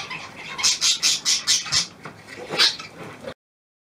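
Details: Newly hand-tamed pied budgerigar, 17 February 2023: a burst of rapid, grating chirps about every quarter second, a short pause, then one louder rasping squawk and a few fainter notes before it ends abruptly.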